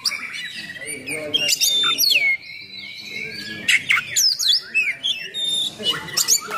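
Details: Energetic song of an oriental magpie-robin with coarse fill-in phrases, played to provoke and train other magpie-robins; continuous rich warbling of looping whistles, downward slides and gritty rasps, little pause between phrases.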